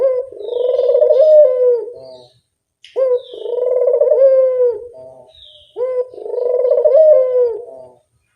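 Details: Elegant puter dove lure call heard three times, each coo a sustained, burry note that swells, lifts slightly near the end and trails off, spaced roughly three seconds apart.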